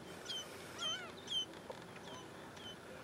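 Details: An apparent American golden plover at Cutler Wetland on 3 April 2011 gives short, clear whistled call notes, some slurred downward, repeated about twice a second over a steady background hiss.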